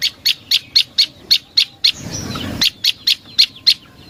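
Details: Lure recording of a prenjak lumut prinia: crisp, high chip notes repeated rapidly and evenly, broken by a short rustling, noisy pause before the chipping resumes.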